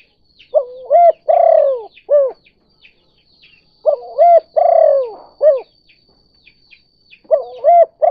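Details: Trapping lure call of a spotted dove, kuk 2 type. Cooing phrases repeat about every three seconds, each with a linked rising coo, a buzzy descending coo and short arched notes. Soft twittering sounds behind.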